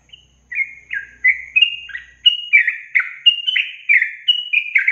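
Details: Yellow-vented bulbul song used as a training recording for songbirds, a long trill style: a brisk chain of bubbly, slurred chirps, each dipping then rising, repeated about once a second after a brief silent start, clean background.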